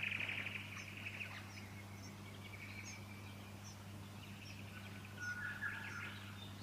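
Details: Fuscous honeyeater (Ptilotula fusca) in Victoria, Australia, September 2019: thin, high chips about every two-thirds of a second over softer buzzy chattering notes, with a steady low hum underneath.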